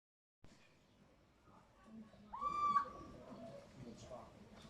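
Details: Little owl giving a single loud mewing call that swoops up and then holds level for about half a second, over soft murmuring voices and faint background rustle.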